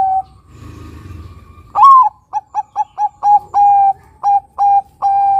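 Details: Crossbred Bangkok-line zebra dove singing its big, long coo: a low note, a rising whistled lead-in, then quick staccato coos that stretch into longer sustained notes with short gaps.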